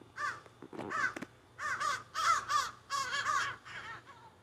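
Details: Several crows carrying on in trees behind a yard, recorded close on a phone: loud overlapping, wavering caws from more than one bird in dense bursts, nasal and harsh, with a few clicks between.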